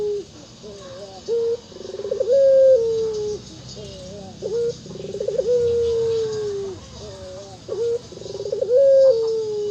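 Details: Local ringneck dove repeating its favoured anggungan coo about every three seconds: short bent notes, a fast rolling trill, then a drawn-out steady coo that falls away, cycling through the clip.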